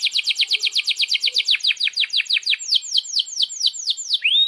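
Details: Canary in lively, long-rolling 'gacor' song used to tutor young canaries learning to sing: fast run of descending whistled sweeps about eight per second, slowing into broader, spaced downward slurs, ending on a rising note.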